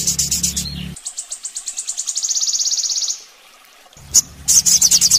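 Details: Master recording of a sogon for training birds: a high burst, then notes that quicken into a smooth, rapid trill, a pause, and further sharp high pulses with a low hum.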